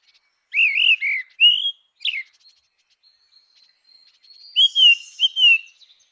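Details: Grey-winged blackbird delivering fluting whistled phrases: a run of rising and falling notes, a short sharp downslur, then after a pause two more mellow whistles.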